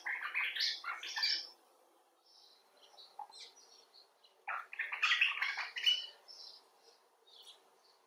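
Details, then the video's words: Common bulbul, a rescued or wild bird, talking expressively in quick bursts of harsh, chattering notes, then softer scattered high chirps, then another loud chattering burst. "Bulbul Talk: The Common Bulbul (Pycnonotus barbatus)"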